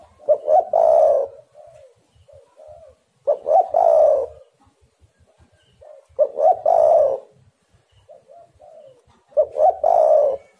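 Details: Spotted dove, used as a lure recording to make other doves call: four loud cooing phrases, each a pair of short rising notes then a longer rolling coo, roughly every three seconds, with softer coos between.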